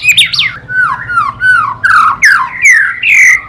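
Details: White-rumped shama song, a 2017 compilation of Indonesian murai batu: loud sweeping whistles sliding down from high to mid pitch, phrases of about half a second with short gaps, rich varied notes, no other sounds.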